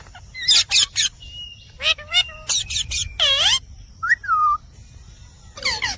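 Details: Rose-ringed parakeet (Indian parrot) talking: scratchy screeches, a thin level whistle, short bending notes, a long ringing downward-swooping squeal, then a whistled two-part slur and a final harsh call.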